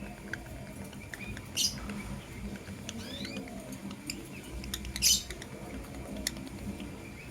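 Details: Morning sounds of blue opaline and green personata lovebirds, with two brief harsh, scratchy chirps a few seconds apart and soft clicks and faint twittering between them.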